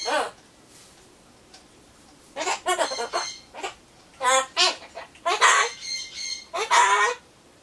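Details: A pet Solomons corella mutters alone before its pumpkin arrives, in a 'bye-bye, see you' mood; a quick series of scratchy, harmonic, speech-like syllables, roughly one every second, some rising and drawn out.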